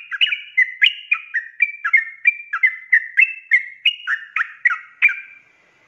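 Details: Sooty-headed bulbul giving rapid ropelan singing meant for training cage birds: a lively sequence of some twenty sharp whistled slurs at a steady quick pace, ending abruptly in silence.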